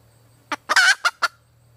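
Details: Red junglefowl hen calling for a mate: one quick cluck, a drawn-out rasping squawk, then two more short clucks, with a steady low hum in the background.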